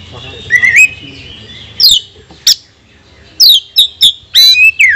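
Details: Oriental magpie-robin song used as a provoking lure to stir other magpie-robins: scattered loud whistled notes and sharp rising and falling slurs, separated by quiet gaps with faint low background hum.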